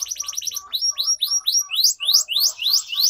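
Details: Canary song for training young canaries to sing. A quick stuttering trill gives way to loud, rising-then-falling whistled sweeps repeated about three times a second.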